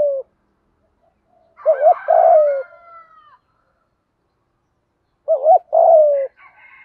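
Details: Spotted dove cooing in thổ pha voice mixed with gù thúc, a recording of male and female birds meant to excite other doves in training: two low coo phrases, each a short wobbling note then a drawn-out falling coo, with thin higher whistling.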